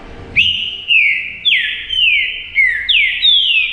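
A Green-winged Saltator gives loud, rich whistled notes, each slurring downward, about six in quick succession over three seconds, with no other sounds.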